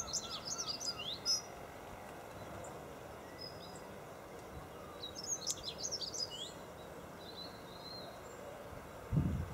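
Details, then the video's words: Dunnock singing at Golden Hill Country Park, Freshwater, on 21 February 2012: two fast, high, jangling warbled phrases about a second long, separated by a pause. A dull low thump is heard at the end, over steady background hiss. "Dunnock singing"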